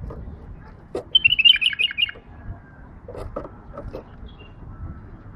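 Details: Pet female bulbul, tame, delivers one rapid warbling phrase of about eight fast, slurred up-and-down notes over roughly a second, followed by faint low knocks and soft background noise.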